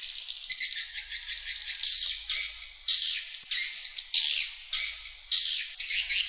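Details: Swiftlet external sound used to attract swiftlets: harsh, buzzy chattering bursts, each under a second, repeated roughly once a second with short gaps, high and broadband, over a faint low hum.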